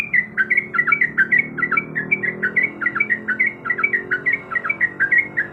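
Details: Yellow-vented bulbul female in breeding condition calls to the male with a rapid chain of clear, liquid chirps that bounce up and down, delivered about four per second with a light background hum.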